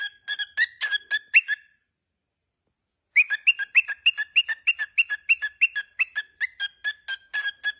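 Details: Cockatiel kept as a pet whistling a catchy tune: a short opening phrase, a pause, then a long even run of rapid repeated notes on two pitches, about three per second.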